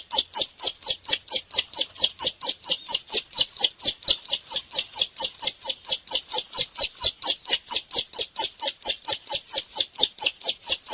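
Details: Bar-winged prinia singing energetically: a fast, steady series of sharp, high chipping notes, about two per second, continuing without pause through the whole stretch.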